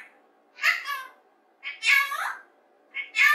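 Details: Rose-ringed parakeet kept as a pet, playing alone and practising human words: three bursts of rough, voice-like mumbling with rising and falling tones, over a low indoor hum.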